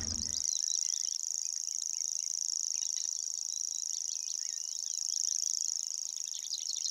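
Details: A Common Grasshopper Warbler reels without a break in the Amsterdam Waterleidingduinen dunes on an early, damp King's Day morning, a high, dry, insect-like trill held steady, with other small birds chirping faintly behind.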